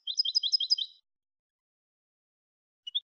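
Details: European goldfinch, malagueño limpio style for tutoring other goldfinches: a second-long run of bouncing high paired notes in a steady trill, then two brief chirps after a long silence.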